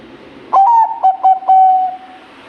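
Zebra dove cooing: a soft clipped note, a quick stutter of three short coos, then one long, steady, purring coo, all within about one and a half seconds.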